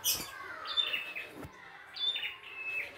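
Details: Wild red-headed prinia giving two energetic song phrases: each a thin high whistle sliding into a raspy lower trill, with a brief tap sound between them.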